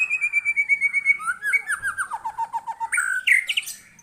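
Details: White-rumped shama in full song responding to a lure: long whistled notes followed by a descending cascade of rapid slurred notes, ending in loud harsh mixed phrases.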